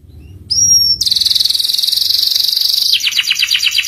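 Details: Ngeriwik master song of a canary, played so young canaries learn it fast: a short pure whistle, then a long rapid rolling trill on one high pitch for two seconds, changing to a lower, choppier trill at the end.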